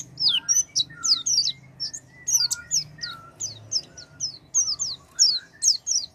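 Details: Oriental white-eye singing, used to stimulate a silent white-eye: brisk high twittering of sliding, downslurred whistles with occasional lower notes, several per second, over a quiet low hum.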